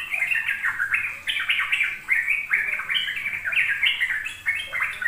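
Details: Ropel song of sooty-headed bulbuls played to young birds as a singing lure: busy, overlapping warbled phrases, sliding up and down without break.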